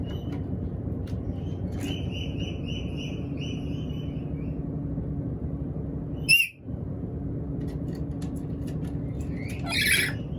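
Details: Black-capped lory calling when hungry: two sudden harsh, screechy bursts, one at mid-clip and one near the end. Earlier, a faint row of short repeated whistled chirps, likely another bird, sits over a steady low rumbling background.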